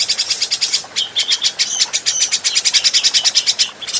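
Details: Adult grey-cheeked bulbul on a cage-bird training recording. Continuous rapid buzzy rattling with a few clearer whistled notes woven through the chatter.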